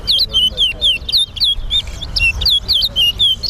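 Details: Caged towa towa in a singing competition at the Sheriff Street bird ground, Guyana. It sings rapid, clear whistled notes, each sliding up and down and repeated about four times a second, over a low murmur of crowd noise.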